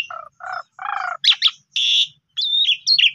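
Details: Asian pied starling song used as a lure to get other birds singing: low buzzy nasal phrases near the start, then sharp whistled notes and harsh rasping bursts, ending in shifting squeaky whistles.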